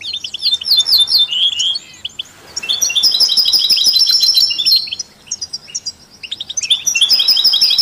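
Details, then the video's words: Mixed songbirds including European goldfinch, canaries and mules, songs used to stimulate other songbirds; bouncy twittering phrases, a sustained buzzy trill section mid-way, then short chirps and another lively run. "Stieglitz Kanarienvögel und Maultiere stimulieren alle Singvögel"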